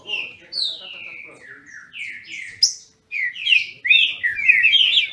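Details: Captive green-winged saltator in Brazil singing against a rival: drawn-out descending whistles, a sharp high note, a brief silence, then fast, bright rolling phrases.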